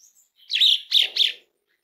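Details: Asian pied starling call used to encourage starlings to sing: three harsh, buzzy chirps in under a second, the first longest, with a low rustle beneath the later notes.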